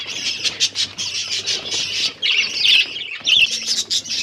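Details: Finches eating egg food, recorded October 21, 2023; quick high chirps repeat in a fast pulse, then change to buzzier twittered phrases near the end.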